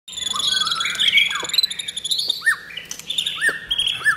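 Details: White-rumped shama in Thailand pours out a rich, varied song of clear whistles and sweeping notes.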